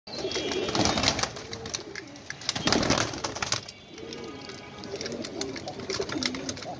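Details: Pigeons feeding, a flock eating food: low wavering coos overlapping throughout, with sharp clicks and pecking taps and a busy background of movement.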